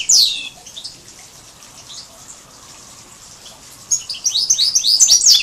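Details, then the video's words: Major goldfinch and canary hybrid in song, 2012: a loud, steep falling sweep opens, followed by silence, then a rapid run of high, twittering notes building in volume. "chant 2 major x canari"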